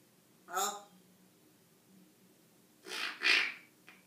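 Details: An African grey parrot talking and making funny noises: one short voiced, speech-like syllable, then after a pause two breathy, hissing bursts close together, over a faint low hum.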